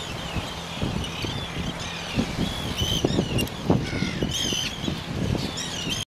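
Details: Arctic terns at the breeding colony on Inner Farne, Farne Islands, Northumberland, UK, 6 June 2013, filmed with a Canon PowerShot SX30 IS: harsh, grating, downslurred calls from several birds overlapping, over strong low wind rumble.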